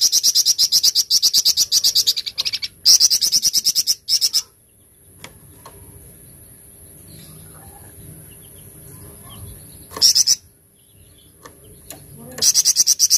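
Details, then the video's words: Hard 'tembakan cadas' shooting song of a flamboyan: long fast rattles of shrill, high repeated notes at the start, a quiet stretch in the middle, then brief renewed bursts. "TEMBAKAN CADAS FLAMBOYAN"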